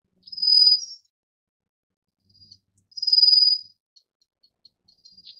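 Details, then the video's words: Rufous-faced warbler calling with high, insect-like trilled notes, two main bursts about two and a half seconds apart, each short and level in pitch, followed by faint softer ticks. "棕面鶯/Rufous-faced Warbler"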